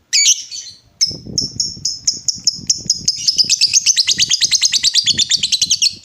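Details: Lovebird giving a long ngekek trill to make other lovebirds answer: an opening high chirp, then rapid repeated high notes, about three a second, that speed up into a rattling run, with soft low music beneath.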